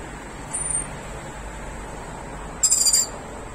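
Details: One of three rainbow lorikeets (Trichoglossus haematodus) feeding on nectar in camellia flowers gives two brief, shrill, high screeches about two seconds apart, the second harsher and buzzier, over a faint background rumble.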